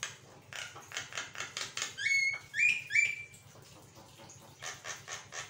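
A Javan myna chatters in rapid harsh bursts, broken by three clear rising whistles, over a steady low electrical hum.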